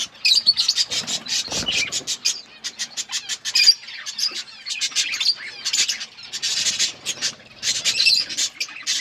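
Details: Several budgerigars feeding and chirping, sharp scratchy chirps in uneven bursts with short gaps, one louder low thud early on.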